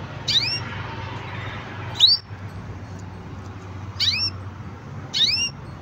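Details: Green canary repeating short, rising whistled call notes roughly every one to two seconds, four in all, with quiet room hum between them.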